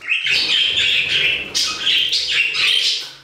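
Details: Budgerigars singing in an aviary, a loud continuous scratchy warble of buzzy chatter and high chirps, with a low background hum throughout.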